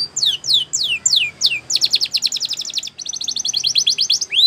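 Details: Canary tutor song: five clear descending whistles at an unhurried pace give way to two rapid, tightly packed high trills.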